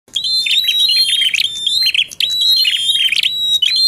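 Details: Bar-winged prinia singing in full 'tilek' and 'ngalun' styles, recorded as a contest-simulation training track for songbird keepers: bright, rapid chirping phrases around a sustained high ringing note, two long bursts split by a short pause near two seconds.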